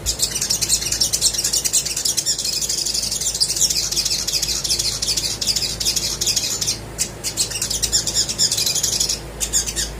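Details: Little spiderhunter pouring out continuous high, scratchy twittering for several seconds, a recording meant to set quiet birds singing; the stream breaks into a few sharp notes near the end.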